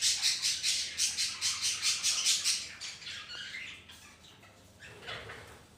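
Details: Budgies in a home colony kept together with ring-necked parrots: a rapid run of rhythmic harsh squawks, about two to three per second, fading into softer scattered chatter and a single falling whistle near the end.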